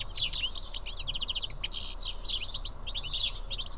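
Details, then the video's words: House sparrows feeding together as a group at Karyotissa, Greece: a dense chatter of short, bright chirps and twitters from several birds overlapping continuously, with low background rumble. "Σπουργίτια (ήχος και εικόνα)"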